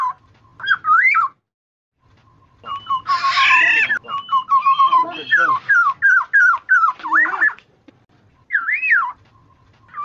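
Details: Black-naped oriole, called kepodang jawa, in a lure recording for trapping: long series of liquid looping whistles, one buzzy nasal screech in between, brief pauses, then more whistled phrases.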